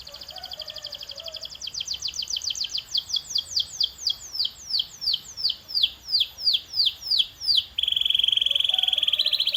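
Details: Canary song for training birds to sing: a fast series of downward-sweeping high notes, about three per second, growing louder, then switching to a steady high buzzy trill.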